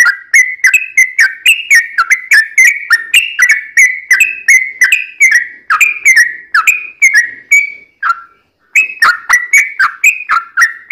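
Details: Yellow-vented bulbul singing a long, nonstop rattling series for luring other bulbuls to answer: quick, bubbly whistled notes with clicky onsets, pouring out steadily, broken by one short pause near the end before resuming.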